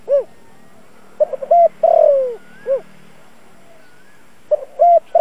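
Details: Spotted dove; coo; lure call to provoke wild birds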